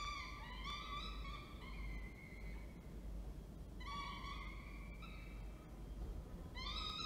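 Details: Falcon at Orange, New South Wales, on 19 October 2024, as the male delivers food and the female feeds. Drawn-out harmonic wailing calls come in bursts, some level and some slightly falling, with a steady low background rumble.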